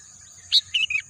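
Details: Birdsong amid green natural scenery: a bright high chirp followed by two shorter downward-slurred notes, set against a constant high-pitched background hum.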